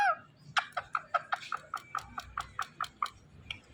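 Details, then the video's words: Two pet parrots, a male said to be teasing a female: a series of about a dozen short, evenly spaced clucking squawks, roughly five per second, each with bright harmonics, after an opening squeal. "Two Parrot Talking"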